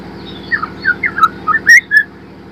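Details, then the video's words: White-rumped shama, a spotted young bird learning to sing, a lure to get birds singing: short sweet whistled slurs rising and falling, closing with a sharp click and a clear high whistle, over a low mechanical hum. "MURAI TROTOL FIGHTER belajar bunyi||pancingan murai trotol agar cepat ngeplong"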